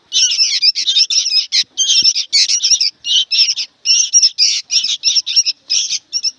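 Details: Young sooty-headed bulbuls giving a fast run of harsh, buzzy squawks in short regular bursts, very noisy and insistent.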